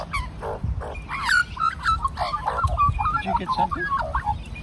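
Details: Large group of magpies, at least three families living together for over a year, serenading the man who has befriended them; tumbling, warbled, fluting notes rising and falling in a rich chorus, with a man speaking briefly at the start.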